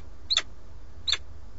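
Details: Male peregrine falcon at a nest in Alcalá de Henares, Madrid, bringing a starling and calling to the female, who doesn't come, gives two brief, high, sharp notes about a second apart over a low steady rumble.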